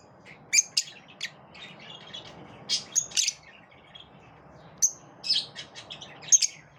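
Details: Lovebirds in a group that repel each other give sparse, thin, high chirps and brief whistled notes, softer overall, with quiet stretches between calls.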